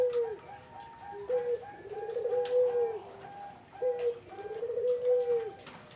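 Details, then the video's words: Cooing of a Barbary dove, kept as a lure for zebra doves; brief low note then a long smooth purring coo, heard twice in a steady rhythm, light clicks behind. "SUARA BURUNG PUTER BUAT PANCINGAN BURUNG PERKUTUT"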